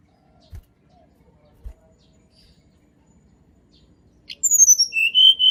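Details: Natural song of a Sunda robin for coaxing silent birds into song; after soft thumps, a high, rapidly descending whistle series gives way to longer lower whistled notes.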